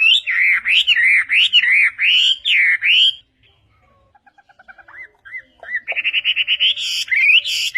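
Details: Chinese hwamei song for training other birds: loud rolling whistled phrases, a silence, then soft short notes and a rapid series of higher chirps.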